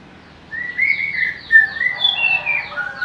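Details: Shama song: a sustained bright whistle that wavers slightly, followed by quick varied whistled notes, with faint high, evenly spaced chirps in the background.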